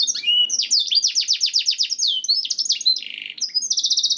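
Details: Canary singing in a masteran recording for stimulating other canaries. Quick series of sweeping trilled notes, then chattering phrases, a low buzzy roll and a steady high rattling trill.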